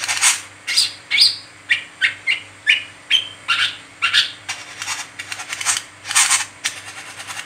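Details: Brown-throated sunbird (wiceh) giving its nonstop 'ngeriwik' chatter, used as a lure for training other sunbirds: dense, fast series of high chirps mixed with harsh buzzy bursts, about forty notes a minute, with a faint constant hum.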